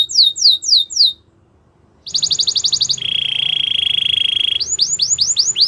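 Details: Belgian canary singing: a run of quick rising whistled notes, a one-second pause, then a bright rapid rattle, a long buzzy trill, and rising upslurred notes at the end.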